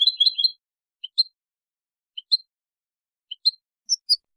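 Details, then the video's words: European goldfinch song from a tutoring tape for teaching young goldfinches and hybrids: an opening burst of quick high twittering notes, then paired sharp chirps about once a second, with clean silence between. "شريط كوبيا تلقين وتسميع طائر الحسون و الهجين"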